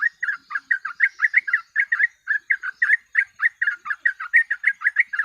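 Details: Sooty-headed bulbul (trucuk) in fast chattering 'gacor ropel' song used as a tutor and lure recording: over twenty short, slurred notes near mid pitch in quick unbroken succession, each rising then dropping, with a faint high hiss behind.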